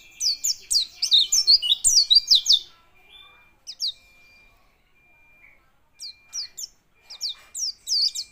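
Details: A white-eye trembles while singing: a brisk run of bright, high downslurred chirps, a pause with a lone note, then renewed short bursts of high twittering.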